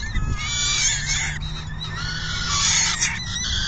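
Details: Peregrine falcon calls at the nest during feeding, afternoon of June 10, 2022. Continuous grating, harmonic wails shift slightly in pitch, over a steady low hum.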